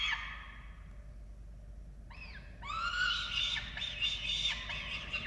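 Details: Falcon nest in Orange, Australia, during feeding of chicks, 13 November 2022: a falling squeal, a quiet pause, then two arched notes leading into a run of loud overlapping squeals.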